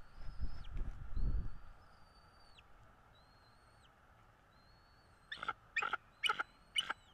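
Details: Bald eagle at its nest in northeast Florida, on a morning in mid-February 2022: thin whistled notes that hold level then drop, followed by four loud harsh rasping bursts. Low wind rumble at the start.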